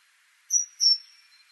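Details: Great tit (Parus major): a single high, clear two-note phrase, a sharp whistled note followed by a slightly longer one, against a faint background hiss.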